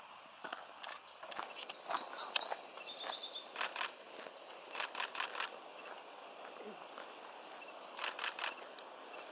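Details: Pink-headed Warbler, a singing male at the roadside edge of a big forest patch, Ocosingo Highway, Chiapas, Mexico, March 21, 2014: one high, fast trill of slurred notes midway, surrounded by scattered sharp clicks and faint chips.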